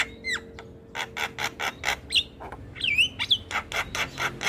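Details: Javan myna singing in lively 'gacor' style, chattering nonstop: harsh buzzy bursts alternate with sharp downslurred whistles and twisting whistled notes, with a faint steady low hum behind.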